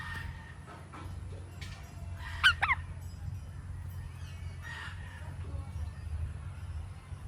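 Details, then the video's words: Indian ringneck parakeet giving two loud, harsh, rasping squawks in quick succession midway, with fainter, shorter squawks a second before and two seconds after, all over a steady low background hum. "Indian Ringneck Parrot Relaxing Sounds"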